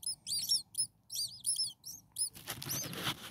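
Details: Six hungry common starling nestlings a few days old, in a nest, giving thin high squeaky begging calls in quick overlapping bursts, each a short arched squeal, followed by a scratchy rustling flurry.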